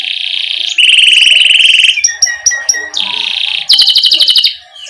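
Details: Canary rolling 'ngerol' song for tutoring young canaries. Alternating long buzzy trills with brief sharp chips, closing in a rapid high pulsed trill that fades away.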